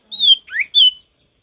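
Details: Short burst from a male sirtu: a long high whistle, a rising slurred note, then another bright whistle, clear and loud with no background noise.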